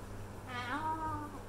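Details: A pet talking African grey parrot, in conversation with its owner, gives one drawn-out, nasal, meow-like vocalization lasting about a second, rising slightly then falling, over a low steady hum.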